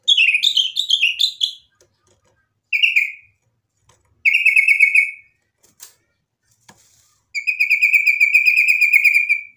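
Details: White-rumped shama song used as a lure to make a rival sing back: separate short bursts of rapid high buzzy trills and twittering, with silent gaps of one to two seconds between them.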